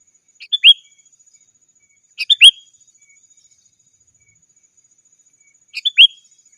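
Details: Sooty-headed bulbul calling to rivals, a recording used to lure wild birds and to tutor caged birds: three short bubbly phrases of two or three quick notes, ending in a bright rising-falling whistle, spaced about two seconds apart, on a quiet background.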